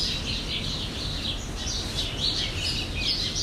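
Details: Jandaya parakeets from Brazil give rapid, rasping screeches, about two or three per second, blending into a continuous noisy chatter above a low hum.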